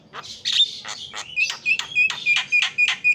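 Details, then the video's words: Melodious song from a champion Javan myna: a steady series of buzzy, down-slurred notes repeated about four times per second, each ending in a sharp squeak. "JALAK KEBO JUARA KICAUAN MERDU"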